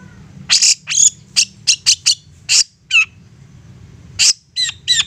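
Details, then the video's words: Long-tailed shrike singing as a lure for other shrikes: separate sharp, high squeaky notes, some with falling whistled tails, spaced irregularly against a steady low hum. "Apapun Cendet nya AKAN LANGSUNG MERESPON dan NYAUT lanjut GACOR dengan pancingan Cendet ngotot ini"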